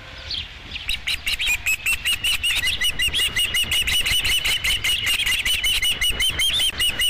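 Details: Osprey at a ranch nest on 5 July 2016, around the arrival of the first fish. A fast, steady series of high, sharp chirps repeats about two to three times a second and runs continuously after a brief quieter start.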